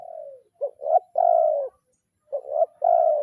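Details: Spotted dove calling a rival in kuk 0-1 training style: a trailing falling coo, then two phrases of clipped double notes each leading into a long, even, mellow coo.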